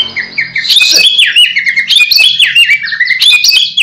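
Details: White-rumped shama, a prospective contest champion, delivering loud, varied whistled song: rapid sweeping and dropping notes, clear fluting phrases and sharp chips, strung together with almost no pause, over a faint low hum.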